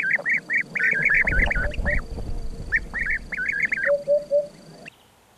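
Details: Bursts of rolling, purring trills from European bee-eaters, several birds calling together, followed by three short lower clear notes before the sound cuts off; low rumbling noise underneath the opening seconds.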